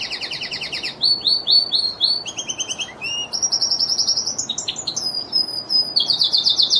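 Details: Lizard canary song of quickly changing phrases: buzzy double-banded trills, clipped upswept notes, a drawn-out whistle and a high, rapid rolling trill at the close.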